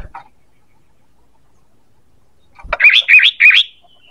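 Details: Sooty-headed bulbul call used to lure birds: three loud, looping whistled notes in quick succession, clear and bright, after a brief click.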